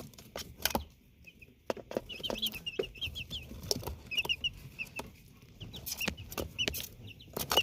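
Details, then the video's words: High, thin peeps from chicks in Canada come in short bursts of upward-slurred notes, separated by sharp clicks and knocks. "#happy #chicks #sounds"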